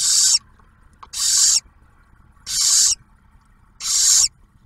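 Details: At a barn owl nest camera in Ohio, the male delivers prey and the female shares it with a newly hatched owlet; four clean, strong, airy screeching hisses, evenly spaced, over near-silence.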